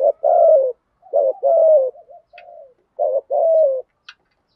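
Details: Urging coos from a spotted dove decoy bird in the 'giọng thổ' style meant to provoke other doves: three quick double coos, short note then drawn-out falling one, with faint soft coos and two tiny high clicks.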